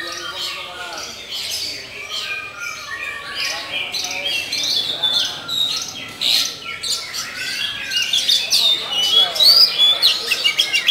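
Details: A black Oriental magpie-robin (kacer hitam bagong) sings a busy, unbroken run of high whistles, chirps and harsh squawky notes, several phrases every second, growing louder toward the end.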